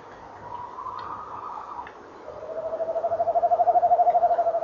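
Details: Male tawny owl calling and trilling by a nest box, 19 November 2013, 18:17, with the female answering; a short wavering hoot, then a long rapid pulsed trill swelling in loudness, about three pulses per second.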